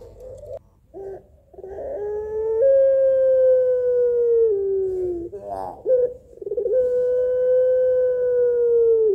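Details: Barbary dove of the puter pelung style, calling to males: short throaty notes lead into long, drawn-out, steady mellow coos that sag slightly in pitch at the end, with brief rough gurgles between them.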